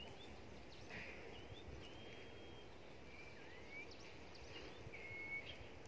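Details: Common iora, Huýt cô song style, Long Thành, Đồng Nai, Vietnam. Repeated clear whistles, long flat notes and upward-swept slurs, come every second or so against a continuous low background hum.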